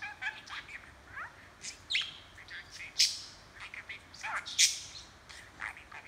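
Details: Talking, chattering pet budgie filmed by hand: irregular stream of squeaky chirps, descending slurred notes and a few loud harsh bursts, roughly every second or two.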